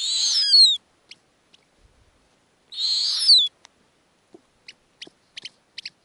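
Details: Snowy owl owlets on an Arctic nest, being fed lemmings by their mother. Two harsh, hissing screeches with a descending whistled edge, each under a second, separated by about two seconds, followed by scattered soft clicks and ticks.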